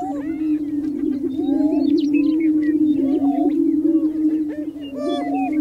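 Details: Greater prairie chickens, males gathered on a spring lek on North American prairie, booming in mating display: a steady low hollow hum runs throughout, overlaid by many rising-and-falling whooping cackles from several birds.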